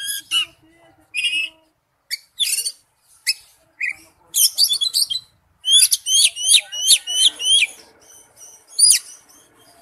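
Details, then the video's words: Oriental magpie-robin singing for use as a lure. Isolated whistled notes open the song, which builds into a rapid run of bright, descending slurred whistles and ends with scattered high notes. "Nhạc chuông tiếng chim chích chòe than mồi"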